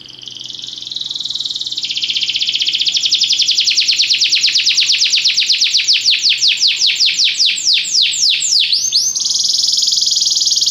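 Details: Singing Belgian canary in training, a long phrase opening with a steady high trill, building into loud, rapid falling notes that slow and deepen, then ending in a smooth sustained high roll.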